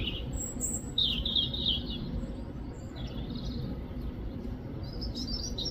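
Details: UK European robin giving a rapid, high, jumbled warble, a dense tinkling run of notes near the start, then softer thin phrases, over steady low rumbling background noise.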